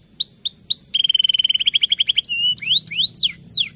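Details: Rolling canary song for the rainy season: a few downward whistles, then a fast even trill of about fifteen notes, a steady tone and sharp rising sweeps at the end.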